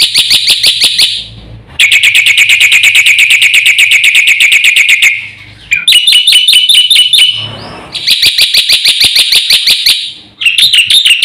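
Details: Black-winged myna's vigorous full-isian song: long, dense volleys of shrill, rapidly repeated ringing notes, broken by brief pauses and a run of varied, bending notes, continuing to the end.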